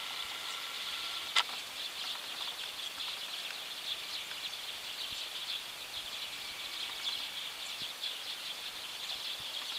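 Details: Evening flock of Eurasian tree sparrows calling from a ginkgo tree: a constant wash of high, overlapping chirps and twitters, with a single sharp click early on.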